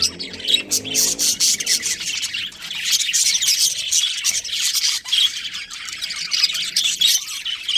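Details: Colony of budgerigars including a breeding pair, giving a steady wash of bright, scratchy chirps and squawks from several birds, overlapping throughout.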